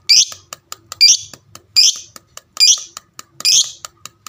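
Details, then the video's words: Pet lovebird of the fighter type, calling to provoke other lovebirds into answering: five piercing high chirps spaced about a second apart, separated by soft clicking sounds. "burung lovebird fighter ngekek panjang suaranya sadis dengar sebentar langsung nyaut"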